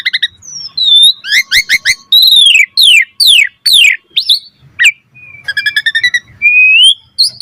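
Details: Asian pied starling delivering a varied training song for other starlings: bright whistles, descending slurred notes, a short rattling burst, and a rising drawn-out whistle near the end.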